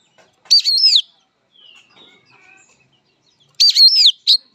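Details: Oriental magpie-robin (kacer) fighting song: two loud, swooping whistled phrases about three seconds apart, separated by faint, soft warbling.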